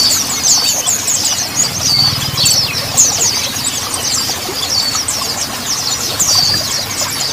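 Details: Mountain white-eye song played as therapy to get untrained birds singing quickly; dense, high, twittering chirps and short trills overlap continuously throughout, like several birds together.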